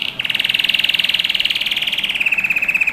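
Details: Singing domestic canary in a training recording for young birds: fast, even rolling trill of rapid pulses, holding one pitch then stepping slightly lower near the end.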